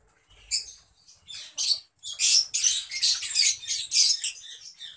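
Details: Lovebirds in a colony giving shrill, harsh chattering bursts, several overlapping high squeaky calls in quick, irregular succession, with brief pauses between bursts.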